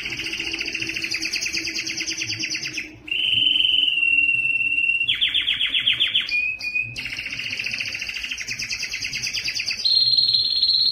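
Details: Long, strong canary song to attract females for mating and breeding: rapid buzzy trills alternate with smooth whistled tones, a short broken passage near six seconds, then a higher sustained trill at the end.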